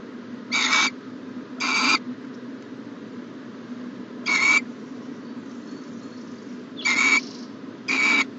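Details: Owl in a nest box during the morning of January 14, 2020, giving rasping, breathy hiss calls, two close together, then one alone, then two more, with quiet low hum between them.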